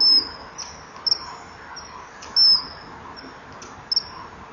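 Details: Common kingfisher male inside a nest-wall tunnel, evening of 23 July 2015, warding off a fish-seeking juvenile before flying away. Shrill, very high whistled notes, some drawn out and some clipped, about six in four and a half seconds.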